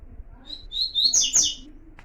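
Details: Double-collared seedeater warm-up song, meant to get a seedeater singing the pure Tui Tui style: a few short high whistled notes that quicken into a loud, dense burst of sharp chirps, then fade, with faint low room noise beneath.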